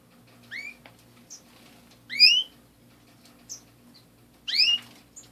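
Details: Three strong upward-sweeping canary chirps, roughly every two seconds, each trailed by a brief faint high note, against a quiet room hum.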